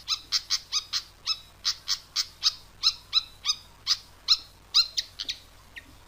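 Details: Lure call of the pied fantail: a steady run of short, sharp, downward-sliding chirps repeated about three to four times per second for six seconds, ending in a quicker, softer flurry.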